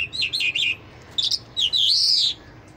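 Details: Lark of the Mashadi Jal type in continuous song: a few rapid, high twittering notes, a short pause, then a quick chirp and a longer sweeping, rising-falling whistle, against quiet low hum.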